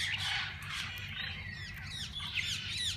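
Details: Mixed parakeets in a walk-in aviary open to visitors, giving overlapping squawky chatter and quick upslurred and downslurred chirps that run without pause, with a low background rumble.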